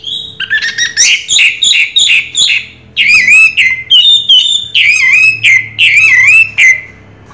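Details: Raja Teler song of an orange-headed thrush, a string of varied high whistled phrases with wavering, warbled notes in short bursts, broken by brief pauses, over a faint constant hum.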